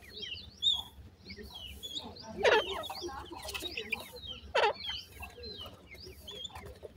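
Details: High, falling peeps from a group of grey francolin chicks run continuously, punctuated by two loud, broad, harsh bursts around the middle, over a faint low hum.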